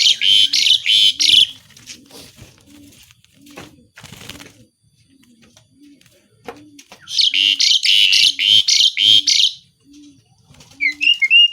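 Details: Asian pied starling delivering loud mimicry-filled song: harsh rhythmic chattering bursts, a quieter stretch of clicks, then another long run of rapid buzzy notes and a final whistle, with a low coo repeating steadily behind.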